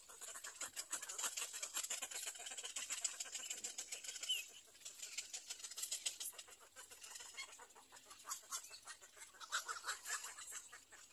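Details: Little egret nestling at nest three: a dense, fast clicking chatter runs almost without pause, swelling and fading in bursts, with a steady hiss throughout.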